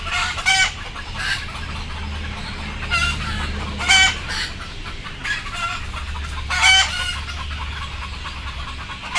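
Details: Frightened, drowsy chickens before boarding make scattered harsh squawks and clucks, several louder bursts spaced a few seconds apart, with a low rumbling hum underneath.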